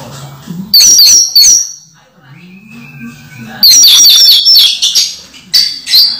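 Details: Orange-headed thrush in moult, caged yet still singing energetically in teler style: two bursts of bright high chirping notes separated by a quiet gap with a soft low whistle.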